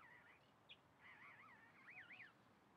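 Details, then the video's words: Soft warbling phrases from a chalk-browed mockingbird, with wavy, undulating whistles rising and falling repeatedly, including a higher looping phrase near the end, over faint background noise. "Calandria cantando"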